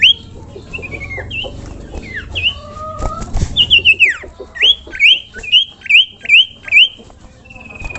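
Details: Common iora masteran song: varied sliding whistles and a few lower notes open the phrase, followed by a rhythmic series of about six loud, up-slurred whistles and a final steady thin whistle.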